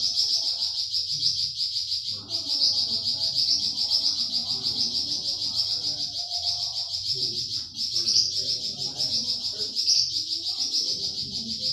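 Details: Rapid high-pitched 'tembakan' song of a flamboyan bird, a master recording for pet songbirds: an unbroken, sizzling trill of quickly repeated notes lasting the whole stretch, faint low rumbling behind.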